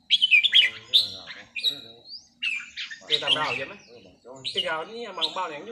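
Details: A practising red-whiskered bulbul gives loud, liquid whistled notes, one ending in a long rising slur. A man's voice takes over in the second half.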